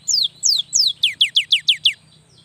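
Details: Cinereous tit, a young bird singing to prompt lazy tits into song; nine clear whistled notes each sweeping steeply downward, the first three slower and higher, the rest faster and evenly spaced.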